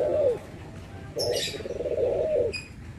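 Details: Barbary dove coos, heard where white and brown doves are compared: a short falling note, a pause, then a longer blurred rolling coo at middle pitch, with a soft rustle during it.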